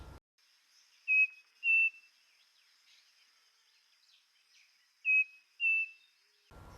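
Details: Striped Cuckoo from the Esteros del Iberá, Paso Telégrafo and La Paz area gives two pure, clear whistled phrases of two notes each, the second note a touch higher, over a faint steady insect hum.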